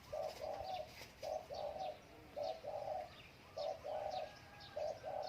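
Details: Spotted dove at home on a windy day, heard more distantly over steady background hiss. Paired coos repeat about once a second: a short note followed by a longer, even coo.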